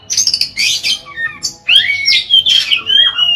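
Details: Oriental magpie-robin singing to prompt other magpie-robins to sing, with harsh scratchy notes giving way to clear, rich whistles that slide downward and level off, phrases tumbling quickly one after another.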